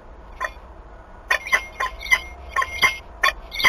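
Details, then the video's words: Peregrine falcon pair mating in Wałbrzych, Poland, 21 March 2022, female with a new young male: sparse, short rasping call notes at irregular intervals over a quiet background. "Helga i młody samczyk - ZALĘŻANIE 21.03.2022 Wałbrzych sokoły wędrowne"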